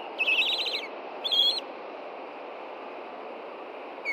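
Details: Nesting osprey pair at Hellgate Canyon, Montana, on a nest camera after dark on June 2, 2014, alarmed by an intruding juvenile: a rapid chattering burst of high, sharp chirps, then a shorter second burst, over steady low background hiss.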